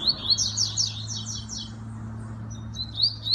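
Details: Captive double-collared seedeater from a Brazilian breeder gives rapid, high twittering song: a dense run of sharp buzzy chirps and trills in the first half, a brief pause, then more clipped chirps, over a low steady hum.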